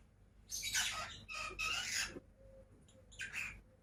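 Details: Pet lovebirds, two of them, give buzzy, grating chatter in two long bursts, then a softer chirp after a pause.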